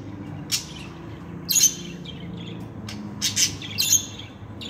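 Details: Talking pet budgerigars give scattered harsh chirps, some doubled or tripled in quick clusters, with quiet gaps between and a faint low room hum beneath.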